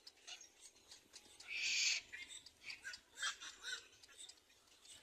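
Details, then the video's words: Little black cormorant chick begging while being fed by an adult; a harsh, hissing burst lasting about half a second, with fainter scratchy squeaks before and after. "Little black cormorant feeds the baby well"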